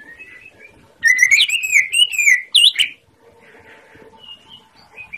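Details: Master recording of a greater green leafbird (cucak ijo) singing gacor to stir silent birds: one two-second burst of fast slurred whistles and sharp ticking notes, framed by faint, soft chirps.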